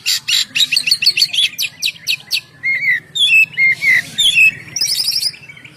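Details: Oriental magpie-robin in full, continuous song used to lure birds and make them sing: rapid repeated high chirps, then clear whistled notes with upward slurs, ending in loud bursts of harsh notes, with a faint low hum underneath.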